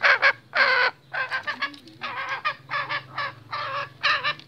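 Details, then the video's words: Restless male junglefowl giving harsh, rasping cackled notes in quick bursts, some doubled, repeated roughly twice a second with uneven spacing; a low steady hum runs underneath. "SUARA AYAM HUTAN JANTAN GELISAH"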